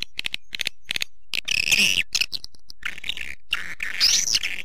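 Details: Call used to lure swiftlets: a few short sharp clicks at the start, then bursts of high buzzy twitters and rising chirps, one loud upswept note near the end.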